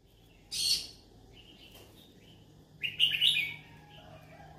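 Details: Yellow-sided conure looking for friends to chat with: one rough squawk, a soft chirp, then a quick jumble of chattering chirps and squeaks.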